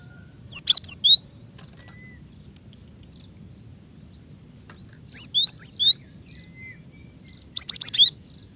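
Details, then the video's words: Female cinereous tit summoning a male: three separate bursts of quick, high, sweeping whistled notes, each of four or five notes, spaced a few seconds apart over a quiet low rumble. "Gelatik Batu Betina Memanggil Jantan ( cepat bunyi )"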